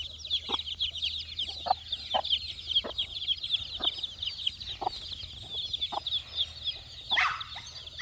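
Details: Four-day-old chicks searching for insects keep up a constant thin, high peeping. Single sharp knocks fall roughly every second, and a louder scuffle comes near the end.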